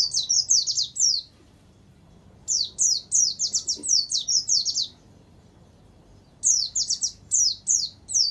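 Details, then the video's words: Tutoring song of a warbling white-eye with canary phrases added, meant for training or luring kept birds: fast bursts of high descending chirps in phrases of several seconds separated by quiet gaps. "Suara Burung Pleci Gacor Dor || Terapi Masteran Pleci Isian Tembakan Kenari"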